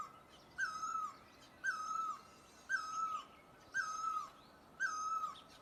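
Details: Great barbet, Asia: five drawn-out mewing notes, each starting a little higher then sliding down, spaced about a second apart, somewhat distant against quiet background.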